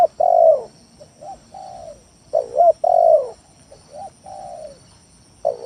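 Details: Lure song of a spotted dove meant to goad lazy or rival doves into calling; deep cooing phrases of a loud swelling note and quieter trailing coos, repeated twice.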